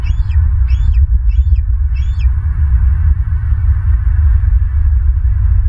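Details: Bald eagles at a live nest camera in Southwest Florida, 22 March 2023 at 18:29: four thin, squeaky notes spaced about half a second apart, then only heavy wind rumble.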